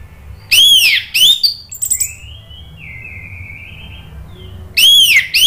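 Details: Orange-headed thrush song used as a lure recording to provoke stalled birds into singing: loud, arched, ringing whistled phrases, then a long thin level whistle and softer sliding notes, before loud arched phrases return.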